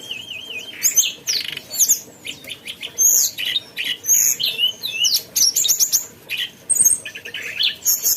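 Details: Mountain tailorbird in lively song, opening with a wavering warbled whistle, followed by a rapid mix of sharp high whistles, slurs and short trills in close succession.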